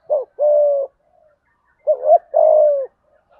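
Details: Spotted dove cooing in the 'thúc gù' manner with a deep voice: two low phrases, each a brief hoot and then a sustained flat coo, separated by a quiet gap.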